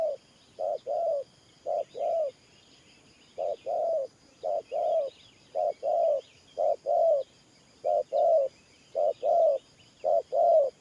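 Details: Spotted dove kept for trapping, cooing in the Thổ Pha style: paired hollow coos after a brief pause, then a steady rhythmic series of short-long notes, light chirping in the background.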